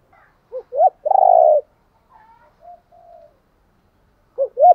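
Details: Spotted dove decoy calling to draw in doves; two short rising coos lead into a long burry coo, then quiet faint notes and two more short coos at the end.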